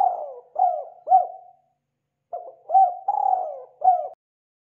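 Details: Spotted dove calling, recorded for use as a bird lure: hollow, low coos in phrases of three or four notes, with drawn-out wavering notes between short rounded ones, separated by a brief pause; quiet background.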